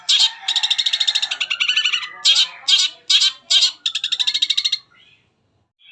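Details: Long-tailed shrike in full mimicry song, a lure meant to set other shrikes singing: fast harsh chattering trills in dense bursts, then a pause and silence at the end.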